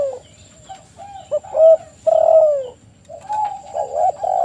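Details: Spotted dove lure song after a quiet start: a couple of short coos, then a long, rich, slightly falling coo and softer follow-up notes, with a thin high tone behind.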